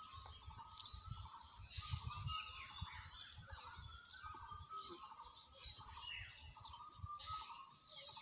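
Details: Asian koel giving its kuhu-kuhu call in the month of Jyoishtho, early summer: a series of short repeated mid-pitched notes, several per second, under a loud steady high insect drone.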